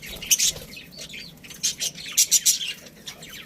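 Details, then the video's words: Budgerigars in a colony: sharp high chirps mixed with small twittering squeaks, a short sputtering run of four or five loud chirps near the end. "Cute Budgies Chirping Sounds"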